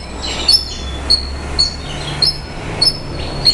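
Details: Javan bush lark singing a series of sharp, high, whistled notes with brief buzzy trills, repeated roughly every 0.6 seconds, over a steady low hum.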